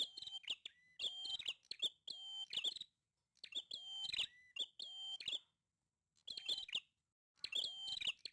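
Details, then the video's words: A prinia in full, lively song, pouring out rapid rhythmic groups of strident, rasping notes around a fixed high pitch, with brief silent gaps between the bursts. "Burung prenjak gacor banget"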